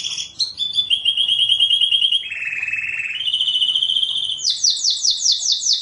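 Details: Canary master song played to train junior canaries: a series of rolling trills, each held steadily at a different pitch, shifting lower then higher, ending in quick repeated falling notes.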